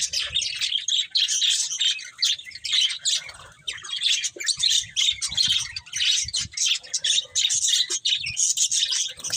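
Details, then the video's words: Steady budgerigar chirping: rapid, buzzy warbling notes repeated almost without a break, with short gaps every second or so. "Beautiful Budgies Chirping Sounds"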